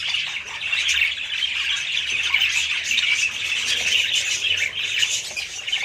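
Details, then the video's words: Group of budgerigars chattering steadily: an unbroken wash of high, scratchy warbling and squawking notes at even loudness throughout. "budgies parrots"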